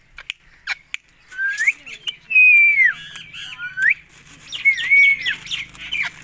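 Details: Indian ringneck parrot whistling loudly: rising slurs lead into a long, steady tone that curves down, then rises again. A second phrase of quick warbled notes and a level whistle follows, with faint buzzing underneath.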